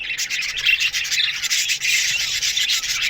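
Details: Aviary flock of Australian budgies in the morning, many birds chirping at once in a steady, grating warble with a few clearer whistled notes.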